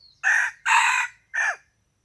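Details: On a February 2020 morning outing to test crowing, a rooster gives a raspy three-part crow: two strong rough syllables close together, a pause, then a shorter final note dropping in pitch.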